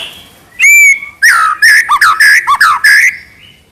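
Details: Loud White-rumped shama song in the trotol style, one bright rising whistle, then a rhythmic series of seven looping, down-curving whistled phrases.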